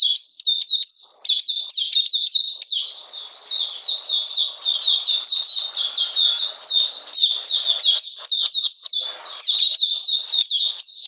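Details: An Oriental magpie-robin sings through cold rainy weather on 13 June 2020, a long, lively series of clear, falling chirps repeated several times a second with only short breaks.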